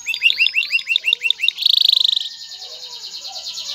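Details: Male canary courtship song encouraging a female to mate and build a nest: a string of rising slurred notes, a fast buzzy trill, then a softer rolling trill.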